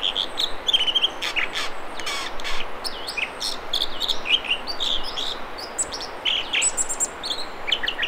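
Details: American dipper (Cinclus mexicanus) singing at the Mamquam River spawning channels near Squamish, B.C.: a long, varied run of high, ringing notes, quick trills and repeated whistled phrases over the steady rush of flowing water.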